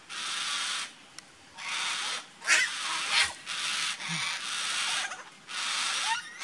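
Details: At Hamlet Downs, Tasmania, on 11/9/16, yellow-tailed black cockatoos give harsh, drawn-out wailing screeches, about five in a row, each under a second long, with short pauses between.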